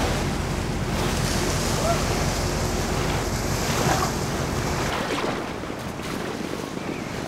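Steady crash of waves and surf with gusting wind buffeting the microphone, easing slightly after about five seconds; no animal voices.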